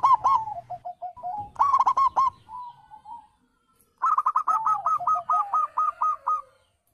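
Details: Zebra doves, described as wild, local and Bangkok birds, played to prompt caged birds to answer: rolling trills of quick coo notes, a brief burst, a softer trailing series, then a long run of a dozen rapid rhythmic coos.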